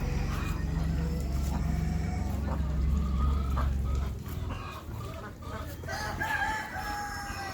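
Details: A rooster crows and clucks in a village over a steady low rumble, with brief rising harsh notes and ducks and other farmyard fowl calling nearby.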